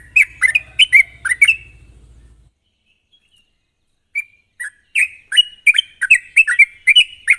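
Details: Rapid sharp song of a sooty-headed bulbul, used as a lure to make untrained birds sing: several bubbly chirps over a low hum, a silent gap, then a renewed run of quick, liquid slurred notes.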